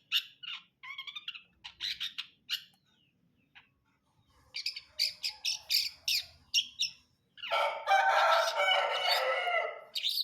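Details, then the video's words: Long-tailed shrike in brundol style: scattered scratchy chirps and buzzy notes, then a run of quick harsh notes. A long, loud, rough, broadband squawking burst dominates the final seconds. "KICAUAN CENDET BRUNDOL"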